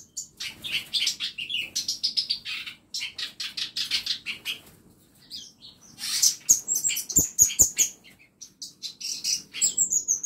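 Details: Birds in a small home aviary chirp busily, with dense bursts of sharp high twittering notes in overlapping series, a few brief pauses, and faint wing flutters between the calls.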